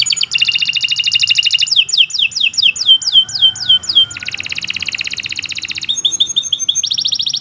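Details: Canary delivering a long, unbroken master song meant to train other canaries: a fast buzzy trill, a chain of falling whistled slurs, then more rapid rattling trills at changing pitches.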